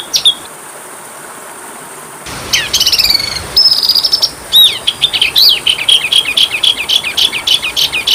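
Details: Oriental magpie-robin (kacer) song used as masteran training material for young birds. A high squeaky phrase gives way to a gap, then bursts of buzzy rattles, a sustained whistle, and rapid chattering, sliding notes. The passage is cut together in sections.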